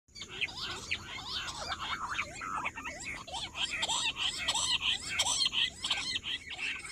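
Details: Rock bush quail, recorded 18 July, giving a dense nonstop chorus of short, squeaky, chirping notes that overlap continuously for seven seconds at a steady high pitch, with no other clear sounds.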